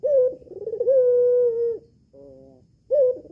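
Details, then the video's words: Albino Barbary dove with red eyes, caged at home, calling as a lure to draw a male's reply. A brief bright note and wavering roll run into a long level coo, then a flat buzzy tone and a fresh start. "PUTER ALBINO BETINA MATA MERAH SIAP PANCING [[BIKIN GACOR JANTAN ]]"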